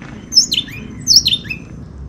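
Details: A Riverside Wren gives two matching high, bright phrases about a second apart, each sliding down from a sharp note into a lower slurred whistle, over a faint hum; forest trail near Jacó, Costa Rica, on the Miro trail toward Cerro Fresco.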